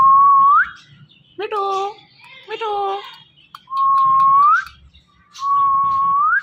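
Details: Pet talking parrot alternating clear whistles that hold steady then rise sharply at the end with two short, wavering speech-like syllables, the whistles repeated about every two seconds indoors.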